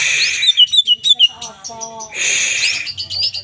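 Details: Song of a kept greater green leafbird, one of twelve: a fast string of bright, falling whistled notes, some lower repeated tones, then a harsh burst and more twisting whistles.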